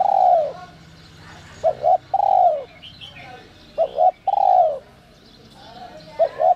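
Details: Spotted dove in 'giọng còi' voice, used to draw out wild doves. Long, mellow, falling coos alternate with quick paired short notes, repeating at an even pace, with light bird twittering behind.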